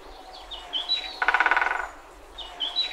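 A woodpecker drums a rapid roll of about a dozen fast knocks that fade within half a second. Thin, high whistled notes from other birds come before and after.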